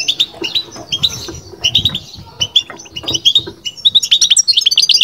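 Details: European goldfinch, kept bird, singing batbata: spaced high twittering notes that quicken toward the end into a rapid string of bright chirps.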